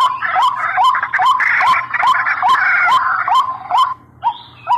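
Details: White-breasted waterhen call used as a lure: a loud series of short, hoarse notes repeated a little over twice a second, each with a rising hook, over a broad, harsh band, ending in a few softer separated notes.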